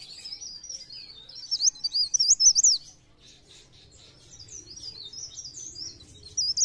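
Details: Mountain leaf warbler singing briskly, recorded as a lure for prompting song: a loud high warbled burst of twisting notes for about three seconds, then quieter, fainter high twittering and low background hum.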